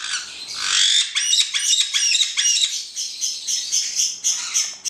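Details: A pair of black-headed caiques giving loud, harsh squawks and screeches in a rapid, near-continuous series, with short chattering notes between the louder bursts.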